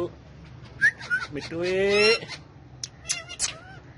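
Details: Tame talking male rose-ringed parakeet gives squeaky chirps and then a nasal, voice-like drawn-out syllable that rises, followed by more short chirps, with background music.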